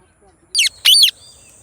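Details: Two shrill, harsh shrieks from an Indian Ringneck parakeet, the second longer and louder, against an otherwise quiet background with a faint high hum.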